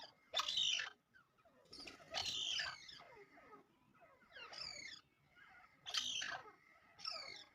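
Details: Partridge calls heard at a distance: harsh, screechy notes that sweep downward, repeated every one to two seconds over faint background hiss.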